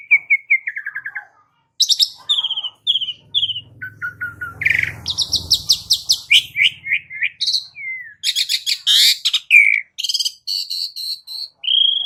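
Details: Asian pied starling song as a lure for caged birds: descending whistled notes, then a long, varied stream of buzzy chatter, sharp rising whistles and rattling bursts, with a faint low hum in the middle.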